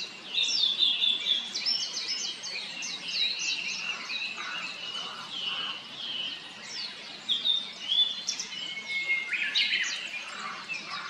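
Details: Blue-and-white flycatcher, a summer visitor arriving at satoyama woodland in 2024. Rich high whistled and warbled phrases overlap with dense repeated chirping from other birds, a longer pure whistle near the end, and steady outdoor background hiss.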